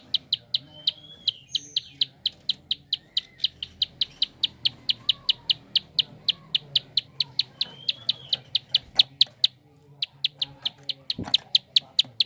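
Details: Rapid prinia click call meant to spur other birds into song: a steady train of crisp, high ticks, about four per second, with a few faint whistled notes and a brief knock near the end.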